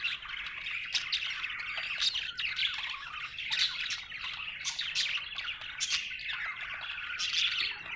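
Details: Budgerigar in a happy mood, chattering nonstop with scratchy warbles, quick squeaks and frequent sharp clicking bursts, the steady rambling twitter holding an even loudness from start to finish.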